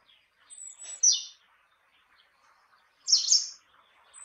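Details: Great tit calling: two sharp, very high, downward-sweeping bursts about two seconds apart, with faint scattered chirps between them.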